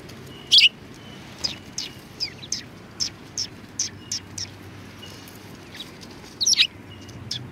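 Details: Sparrows at a Tenmangu shrine chirp in February 2020: two loud, sharp notes bracket a run of fainter, evenly spaced tweets, over quiet low background noise.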